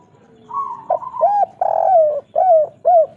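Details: Local-type spotted dove singing the 'kuk 3' pattern: a level humming note leads into a series of short, rounded coos and one longer falling coo, delivered briskly and loudly.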